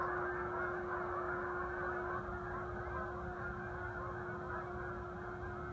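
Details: On the 2015 vernal equinox, a flock of geese keeps up a busy babble of rapid, overlapping honks, slightly louder at the start and easing after two seconds, over a constant low electrical-sounding hum.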